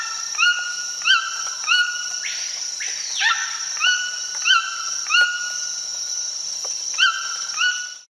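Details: In the Amazon rainforest, a White-throated Toucan gives a run of high, yelping notes, each rising then dropping, about two a second, over a steady insect buzz and a brief rushing noise.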